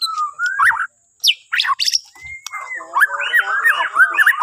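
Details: White-rumped shama from Borneo, its song used to prompt other birds in the morning: a smooth whistle, sharp high downslurs, a long steady whistled note, then a lively warbled phrase.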